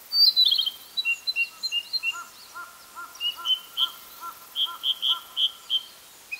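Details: Male Narcissus flycatcher singing, Hokkaido, 6 July 2014: a trilled opening, then repeated whistled notes alongside lower hollow-sounding notes, ending in a series of bright whistles.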